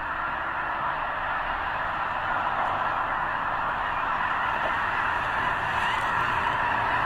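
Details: Snow geese in a huge gathering near the eastern end of Potholes Reservoir, probably staging before flying north to breed on the arctic tundra; constant overlapping yapping honks form a thick, continuous wall of sound.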